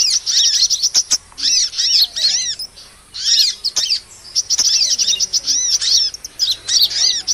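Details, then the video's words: Trapping lure of sunbird (kolibri) calls aimed at small birds: clustered thin, high chirps and swooping whistles, with a quieter pause around three seconds. "SUARA PIKAT MP3 BURUNG KOLIBRI AMPUH"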